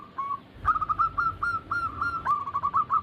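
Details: Zebra dove cooing from a lure recording meant to prompt captive doves to sing: a faint short note, then a long run of rapid staccato coos near one pitch, ending in quick rolling notes; low background rumble.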